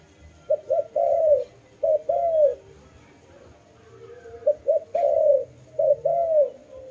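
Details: Dove cooing: two short, clipped notes run straight into a longer, falling coo, the phrase given twice in quick succession and then again after a pause of about two seconds.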